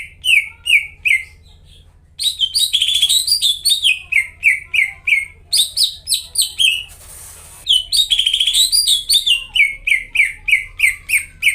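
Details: Caged greater green leafbird singing vigorously, a lure song meant to prompt silent leafbirds to sing again: rapid, loud series of slurred, descending whistled notes repeated about three per second, broken by a short gap and a brief burst of hiss, over a faint low hum.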